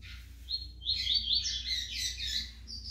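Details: Double-collared seedeater in brown plumage pouring out a continuous, high, jumbled warbling song of rapid twittering notes over a steady low background hum.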